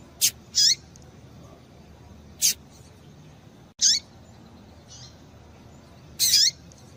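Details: Female double-collared seedeater giving short, high, thin peeps, single or paired, spaced irregularly every one to three seconds against a quiet background; used to stimulate males to sing.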